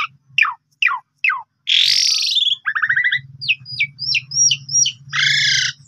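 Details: Asian pied starling song, played as a lure to make other birds sing: four sharp downslurred whistles, a loud harsh rasping burst, then rapid clipped whistled notes over a steady low hum.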